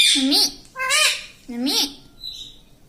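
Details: A pet talking parrot, tagged as ring-necked, says three quick, harsh, speech-like syllables about half a second apart, each rising then falling, then a faint high squeak; "mummy" and "mitthu" are heard nearby.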